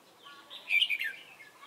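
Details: Short, emphatic warbled phrase from a red-whiskered bulbul kept as a trapping decoy at Chùa Hương, 28 November 2017. It rises to a bright, loud peak and then fades out.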